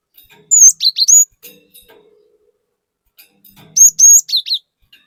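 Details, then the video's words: Cinereous tit in full 'gacor nembak' song, a lure for stirring other birds: two phrases, each a long high level whistle followed by a pair of fast falling slurred notes, with a quiet pause between them. "Pancingan Burung Glatik Batu Gacor Fariasi Glatik Bahan Auto Emosi || Glatik Batu Gacor Nembak"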